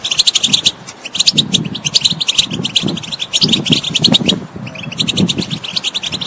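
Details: Goldfinch song for prompting a non-singing bird: quick chattering twitters and tinkling trills in bursts, broken by short gaps, over a soft low rumble.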